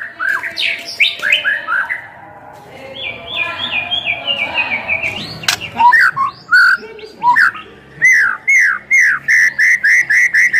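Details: White-rumped shama song meant to provoke other shamas into singing: varied chattering phrases and a fluttering trill, then loud ringing whistles repeated in a fast series of similar notes.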